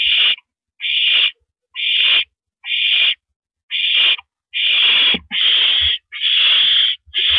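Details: Owl perched on a porch, April 9, 2012, 8:17 PM, repeating rough, airy screeches that start short and spaced, then lengthen and run closer together toward the end, with a few low thumps.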